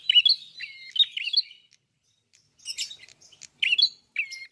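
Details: Red-fronted prinia, known locally as klawu, in full song: dense twittering phrases of high chirps, then a gap, then crisp bursts ending in a short level whistle.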